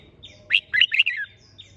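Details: A caged red-whiskered bulbul, raised for singing contests, gives a single rapid phrase of clear chirping notes that slides downward at the end, with faint higher chirps around it.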